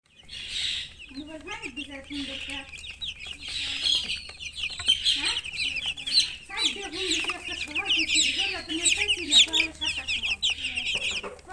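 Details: Chickens including a hen, making dense, high, busy chirping in overlapping bursts throughout, with low soft clucks repeating underneath, nearly one per second, over a faint steady hum.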